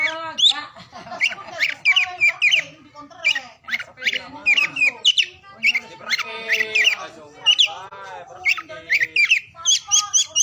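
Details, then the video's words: Oriental magpie-robin song meant to get silent birds singing: busy, mixed phrases of grating, scratchy notes alternating with sharp whistled accents, delivered in rapid bursts with short breaks. "KICAUAN KACER DI PAGI SIANG SORE HARI UNTUK MERANGSANG KACER BISU DAN MALAS BUNYI AGAR CEPAT GACOR"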